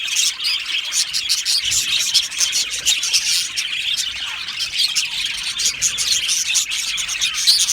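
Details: Aviary budgerigars chirping happily as a colony. Rapid, overlapping high chirps and twittering run without pause, with clusters of louder, sharper notes rising above the steady chorus.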